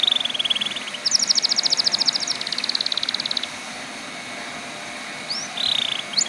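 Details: Canary singing to encourage other canaries to sing: a fast buzzy trill of rapid repeated high notes lasting over two seconds, then a pause and brief whistled phrases returning near the end.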